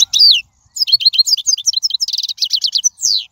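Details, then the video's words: European goldfinch in the wild, song used to tutor young birds: a long, fast, liquid twittering of high slurred notes, with a buzzy rapid trill and a drawn-out falling note to finish. "من أقوى اغاني | طائر الحسون | البرية"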